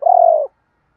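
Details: Spotted dove cooing as a training call to push lazy doves to answer: one loud, steady, low coo lasting half a second, then silence.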